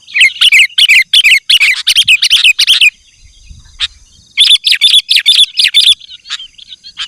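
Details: Sooty-headed bulbul in lively gacor song, used to call wild bulbuls: bursts of sharp, bright chirps tumbling rapidly for three seconds, a pause, then another quick run of high notes.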